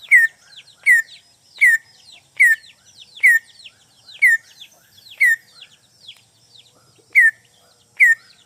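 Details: Greater green leafbird calling a rival as a lure bird: strong downslurred whistled notes roughly every 0.8 seconds, each framed by rapid chattering twitters and sharp high clicks, busy and continuous.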